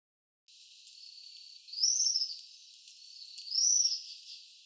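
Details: Tropical kingbird recorded at a flora study and conservation centre in São Paulo, Brazil: thin high twitters build into two bright, rising-and-falling trilled phrases about two seconds apart.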